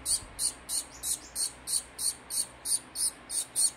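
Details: A hand-fed baby fawn society finch begs with sharp, high-pitched buzzy chirps. The chirps are evenly spaced, about three per second, against a quiet background.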